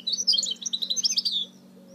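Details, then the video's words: A goldfinch mule (goldfinch hybrid) sings a fast, jumbled run of bright twittering and tinkling notes for about a second and a half, with a low steady hum underneath. "Chant mulet chardonneret تغريد هجين الحسون"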